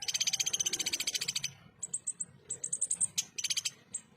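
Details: Ruby-cheeked sunbird in clear 'full tembakan kasar' song, kept as tutor material for contest birds: a rapid high rattling trill of about twenty beats over 1.5 seconds, then scattered sharp high chips and short chip runs.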